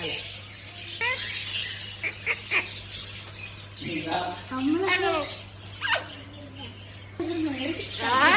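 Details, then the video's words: Amazon parrot speaking Arabic words: voice-like, warbling syllables and squawky phrases with gaps between, some harsh noisy bursts, over a faint steady hum. "Arabic speaking Amazon parrot"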